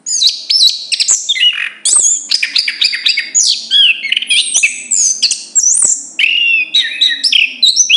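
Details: Loud, close chestnut-capped thrush song, dense bursts of bright whistled and warbled notes, many swooping up or down, delivered in short phrases with tiny gaps, over a faint low hum.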